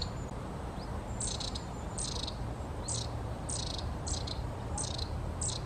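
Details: Long-tailed tit giving a series of short, buzzy, high-pitched bursts, roughly seven in under five seconds, spaced at fairly regular intervals over a steady low rumble of background noise.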